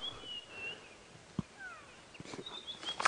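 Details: White-browed Scrub Robin in Djuma Game Reserve bush at 6:30 AM on 8 July 2016, one of the first birds heard in the morning, giving thin, high whistled notes and a few lower descending slurs, with scattered knocks and rustling nearby.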